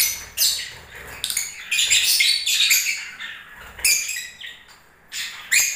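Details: Lovebirds singing in the breeding season, irregular bursts of high chirps and scratchy twitters, some notes sweeping upward, with quieter gaps between.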